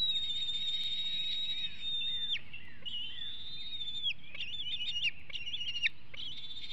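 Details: Young bald eagle at its Hanover nest, 2021, being possessive and aggressive over food days before fledging; long high piercing whistles drop away, then break into quick stuttering chitters, with a low constant hum underneath.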